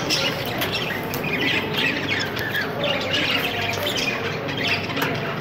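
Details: Budgerigar chicks, hatched 20 days earlier, give a steady stream of thin, scratchy squeaks and chatter.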